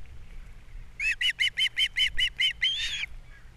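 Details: Osprey calling from a Captiva nest during an April breakfast fish delivery and chick feeding; a crisp series of about nine evenly spaced high chirps ending in a longer harsh squeal.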